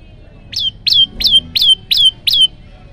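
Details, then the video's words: An olive-backed tailorbird gives six loud, sharp notes that sweep downward, about three per second, over a faint low background hum. "prenjak lumut gacor tembakan variasi"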